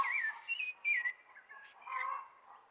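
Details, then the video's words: Brief sabiá thrush song in spring: a loud cluster of rich whistled notes, a sliding phrase, then a softer trailing warble. "Sabia cantando com a chegada da primavera"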